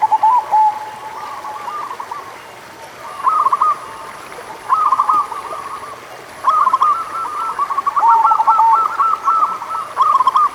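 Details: Zebra dove of a local strain singing to stimulate doves slow to sing: short trilled coo phrases building into a long, dense stretch of rapid rolling notes, with a faint high tone.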